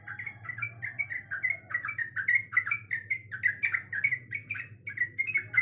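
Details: Female sooty-headed bulbul in breeding condition calling the male: a steady string of short, bubbly, mid-pitched notes in quick pairs, chattering evenly with a low hum underneath.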